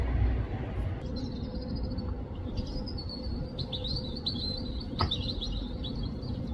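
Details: Robin starting a series of quick, high, rippling chirps partway through and repeating them steadily to the end, with one sharp click and a low droning background.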